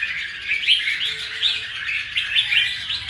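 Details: Wild-caught red-whiskered bulbul in a cage, freshly molted and in good form; quick bursts of sharp twittering notes pulsing roughly every half second, with a brief low tone in the background.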